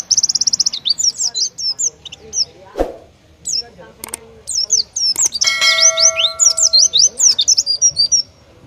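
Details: An Oriental white-eye in full singing form pours out a fast, very high twittering song of thin, sweet slurred notes, the kind of song favoured by contest judges, with a couple of sharp knocks and a brief ringing chime.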